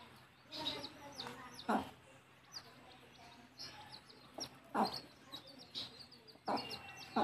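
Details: Hen with chicks heading back to the nest for roosting. Short, loud, broad clucking bursts come every second or so, mixed with many rapid, thin high-pitched chick peeps throughout.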